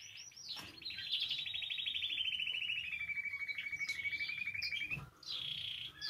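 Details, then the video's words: Canary song used to stimulate other canaries to sing: a long rapid trill of repeated notes that gradually falls in pitch over about four seconds, then stops abruptly, followed by brief high chirps. "Canario Cantando. (Ideal para ESTIMULAR canto de canarios)"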